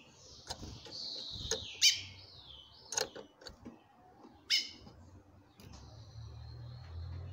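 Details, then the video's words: Female chestnut-bellied seed finch calling to a male, which answers in song: long whistled phrases sliding downward, cut by several sharp harmonic call notes, and a low hum near the end. "FÊMEA DE CURIÓ CHAMANDO MUITO"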